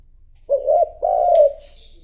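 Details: A decoy spotted dove coos to lure wild rivals. One soft, low phrase is heard: a brief hollow note, a short pause, then a longer sustained coo that fades out. A faint high chirp from another bird is also audible.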